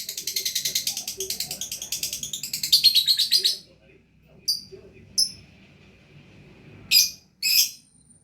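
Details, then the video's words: Lovebird in gacor song: three and a half seconds of quick, harsh, high chattering that swells in loudness, then silence broken by a few short, sharp squeaky notes. "Love Bird Gacor"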